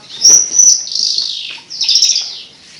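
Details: Javan bush lark singing melodiously: sharp high whistled notes, then two buzzy chattering bursts separated by a short gap.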